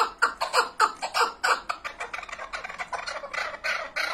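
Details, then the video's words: Chukar partridge calling in a clear series of distinct raspy chucks, spaced evenly at first and then speeding into a tighter, rolling run. "keklik sesi"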